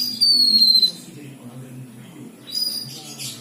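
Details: Black-winged myna in full song: a long, pure, high whistle sliding slowly downward, followed by quieter chirps and a faint low hum underneath.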